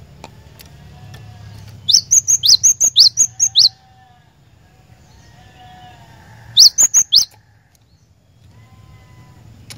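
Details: A lure song of the cinereous tit, meant to set a caged bird singing: a fast string of about ten piercing, high two-part notes, a pause of several seconds, then a shorter burst of five, with a soft low hum behind.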